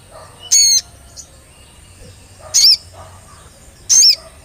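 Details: Olive-backed tailorbird lure for prompting song: three loud, piercing high notes, each a short bent whistle, spaced roughly one and a half seconds apart against faint background noise.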